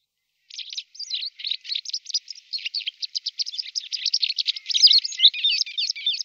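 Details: White wagtail in a rapid, unbroken twittering run of high chirps and scratchy notes that grows slightly louder toward the end, with no other sounds.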